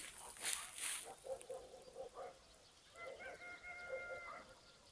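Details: Rooster crowing at sunrise in the countryside, a drawn-out, harmonic crow after several shorter throaty notes.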